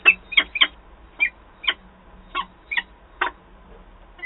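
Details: During a nest change-over in Wałbrzych, Poland, 13 April 2023, with the male peregrine falcon arriving and the female leaving fast: loud grating notes, a quick triple at the start, then single rasps every half second or so.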